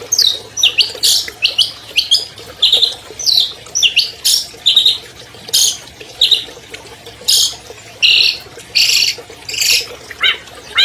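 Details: Champion albino long-tailed shrike from 2020 delivering a long, varied lure song for stalled shrikes: high, bright chirps, down-slurred whistles and short buzzy bursts in uneven rapid sequence, with faint low hum behind.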